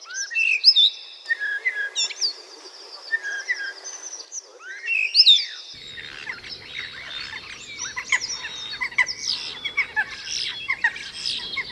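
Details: Common Starling song from a noted vocal mimic of birds, whistles, ringtones and sirens: a jumble of sharp whistles, rising and falling slurs, clicks and rattling chatter, densest in the second half, with faint background noise.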